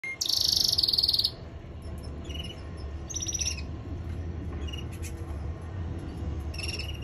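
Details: Male canary in singing training: a loud, rapid, rattling high trill for about a second, then scattered faint chirps and short trills over a constant low background hum.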